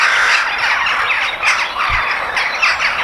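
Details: Crows outdoors in nature, many birds giving rough, raspy caws that overlap into a steady, noisy chorus with a brief low thump near the middle.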